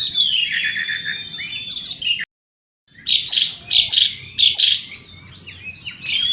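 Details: Asian pied starling, outdoors, singing energetically: a whistled, warbling phrase, a brief silent break, then strong harsh chattering bursts repeated roughly every half second among thin whistles.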